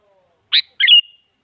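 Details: Sooty-headed bulbul, female calling to a male, played as a lure for a silent bird: one sharp chirp followed by a bubbly double note that trails into a short whistled tail.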